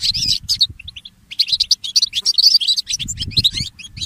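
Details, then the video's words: Goldfinch hybrid singing early in the morning: bright chirps, then a short pause, followed by a lively run of warbled high notes and twitters over a soft low rumble. "The inspiring Motif of the Mule Goldfinch and the Birds"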